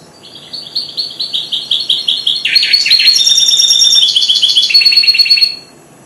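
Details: Four-month-old goldfinch hybrid starting to sing: a quick chain of repeated chirps that builds into a loud, dense twittering trill with buzzy lower notes, lasting about five seconds in a quiet room.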